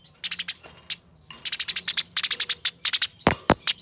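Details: Eurasian tree sparrow in fighting mode, a master recording for training birds: fast, dense bursts of harsh high chirps in close rapid series, with a thin steady high whine throughout and a few sharp clicks near the end.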